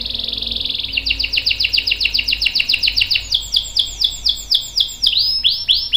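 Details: Singing domestic canary, a long-roll song for tutoring juvenile and adult canaries: a brief rapid trill leads into a steady string of sweeping downslurred notes, roughly four per second.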